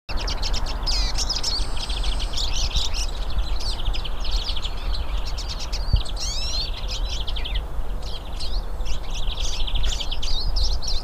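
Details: Several hooded siskins singing in nature: a dense chorus of fast, high twittering and chirps that overlap continuously, with occasional buzzy trills, over a steady low background rumble.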